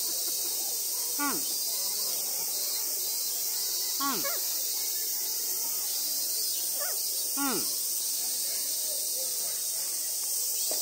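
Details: Captive Ijima's copper pheasant at Omiya Park Small Zoo, Saitama, Japan, answering a person. It gives short, low, downward-sliding grunting notes about every three seconds over a steady hiss.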